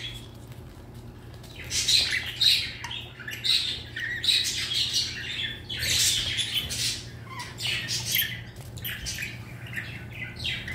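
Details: Pet red-collared lorikeet indoors, happy with its favourite chew balls and its owner home, giving harsh, buzzy squawks in uneven bursts with a few short whistled notes between.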